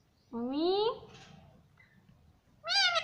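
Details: Pet parrot talking, repeating "mummy": a harmonic, rising voice-like call, then a second bright, slightly falling call after a short quiet gap.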